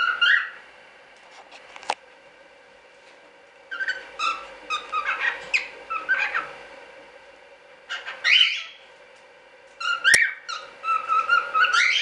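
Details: Standard-colour cockatiels from a small hobby breeding of show birds. Bursts of harmonic, whistled chirps arrive in several groups, separated by short quiet gaps, with a sharp click near the start and another near the end.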